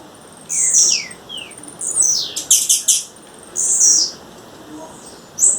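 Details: A female blue-black grassquit calls in the wild: faint descending whistled slurs, long high buzzy notes and a quick series of sharp snapping chips, repeated after short pauses.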